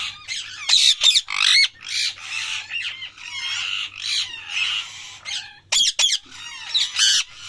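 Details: Parrot loudly calling in a near-continuous stream of raspy, warbling chirps and squawks, varied and rapid, over a faint low hum.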